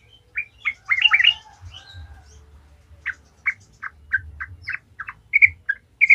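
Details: Sooty-headed bulbul lure song in gacor ngalas style, played to get other bulbuls singing: a tumbling cluster of liquid notes, then single short chirps spaced about every half second, growing louder near the end.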